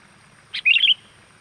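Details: Energetic sooty-headed bulbul lure call meant to stir wild birds to approach: a crisp opening chirp, a brief pause, then a rapid warbling string of clear bubbly notes, over soft background hiss.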